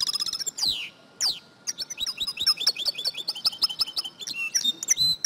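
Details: European goldfinch; female call; stimulating males to sing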